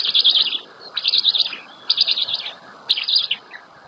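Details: Black stork chicks at their nest in Łódź, Poland, 27 May 2020, while the female feeds them. Four quick bursts of high, wavering chirps, each roughly half a second long, separated by short pauses.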